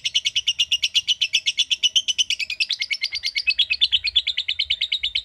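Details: Lovebird giving a long trilling song, the chattering style called ngekek panjang; fast, steady stream of sharp chirping notes, about six per second, holding for over five seconds with a slight drift in pitch, clean background.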